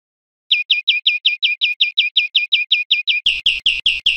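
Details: Greenfinch song for training cage birds: after a short silence comes a steady series of sharp, bright chirps, then a few louder, rasping, buzzy notes at the close.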